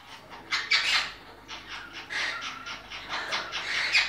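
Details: Breeding monk parakeets giving rough, chattering squawks in two loud bursts separated by a short pause, harsh and broadband.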